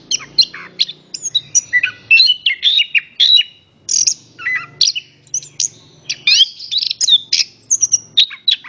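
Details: An orange-headed thrush sings a rich, varied song used to coax other birds into singing: dense bursts of sweet whistled slurs mixed with sharp high chirps and a few lower warbled notes.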